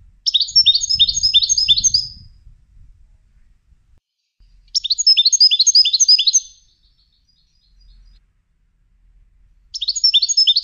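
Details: European goldfinch being trained for song competitions repeats short bursts of quick, high, tinkling twitters, each about two seconds long, separated by pauses of roughly three seconds; faint low rumbling at the start.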